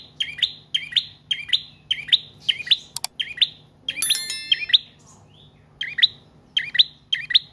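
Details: Bar-winged prinia singing at length, a recording meant to lure and train cage birds: quick bright doubled chirps follow one another rapidly, broken by a brief clicking rattle and a short pause midway.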